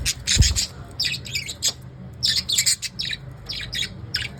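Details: Pet lovebirds squawk busily in the evening, a dense stream of shrill, grating notes in quick bursts about every half second, with one low thump early on.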